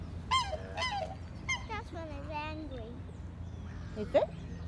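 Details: A black swan described as aggressive gives several short, honking bugles, then a longer, falling wail and a sharp rising squeak, with faint human voices and background murmur underneath.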